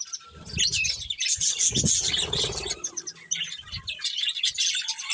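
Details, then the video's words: Budgies chirping as they eat: sharp, squeaky notes and warbles overlap above repeated low knocking and rustling, with a louder burst near the two-second mark. "Colourful Budgies Chirping Sounds"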